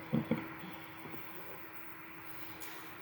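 Low rumbling wind or engine noise with a faint steady hum and two brief knocks near the start, no animal calls.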